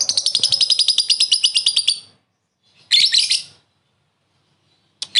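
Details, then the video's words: Lovebird giving a short laughing ngekek call meant to lure a rival: a fast, even rattle of shrill chirps for two seconds, then a harsh screech and another brief burst. "Suara burung lovebird memanggil lawan + ngekek pendek mantap buat pancingan"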